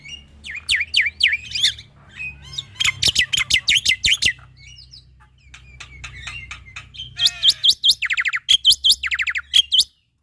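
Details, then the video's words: Javan pied starling male singing richly to spur other starlings into song: descending whistles and rapid harsh chatter, a quieter stretch of clicks, then a fast buzzy trill and loud whistled notes before it stops abruptly. "Masteran Burung Jalak Putih Gacor Full Isian Untuk Jalak Nusa / Jalak Pito Muda"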